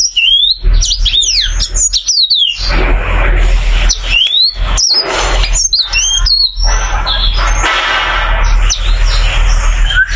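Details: Ten seconds of continuous varied song from a caged oriental white-eye with joined brows: dense high whistled sweeps and chips, interrupted by several bursts of broad rustling noise over a steady low rumble.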